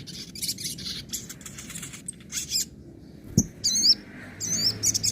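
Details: Nembak and ngobra song of the sogon, or crimson sunbird, used to train birds that stopped singing: rapid high twitter phrases, a low thump, then bright, looping whistled notes sweeping up and down.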